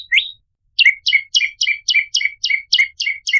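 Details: Lure track of an ashy tailorbird (prenjak kepala merah): one rising note, then about eleven evenly spaced, downward-dropping chirps, quick and bright, roughly four per second, on a clean silent background.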